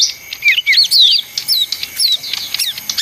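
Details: Leafbird in busy song: high sweeping whistles and brief sharp chips, several downslurred, delivered in short bursts with tiny gaps between them.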